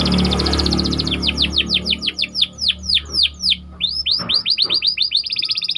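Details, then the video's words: Canary song used to train other birds: a fast trill, then a long series of steep downward whistled notes about four per second, ending in a rapid roll, with low hum behind. "Burung Kenari Ngerol Rapat 🔻 Cocok Untuk Masteran"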